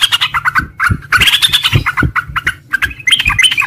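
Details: Sooty-headed bulbul in the morning giving a long, continuous ngropel song: dense bursts of bubbly chirps and short whistled notes tumbling together, with low knocking thuds underneath.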